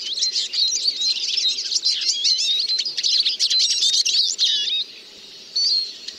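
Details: Eurasian siskin delivering a long, continuous high twitter mixed with looping, warbling notes, ending abruptly, then one brief wheezy phrase after a short quiet gap.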